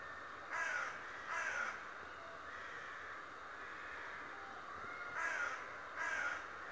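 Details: Talking raven that spies every day: two quick raspy caws, a pause of several seconds with faint background noise, then two more harsh caws.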